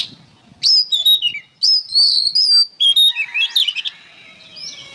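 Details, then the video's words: Vigorous oriental magpie-robin song, recorded as training material for songbirds: loud clear whistled phrases, sliding up and down in pitch with rapid twittering runs and a descending warble, fading into soft background noise. "MASTERAN BURUNG KACER GACOR"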